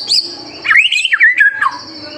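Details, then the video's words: White-rumped shama master song for stirring young birds to sing: one high upslurred note, then a flowing phrase of fluted whistles that wavers and falls, over a faint steady high tone. "MASTERAN MURAI BATU GACOR SANGAT COCOK UNTUK MEMANCING EMOSI MURAI BATU MUDA ATAU TROTOLAN AGAR CEPA"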